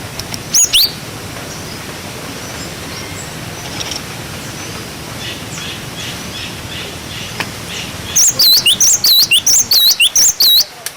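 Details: Cinereous tit song in the wucit wucit style, used to tutor young birds: one brief high whistled figure early, then a loud run of quick two-part whistles, each sweeping down and up, repeated about four per second after a quiet stretch.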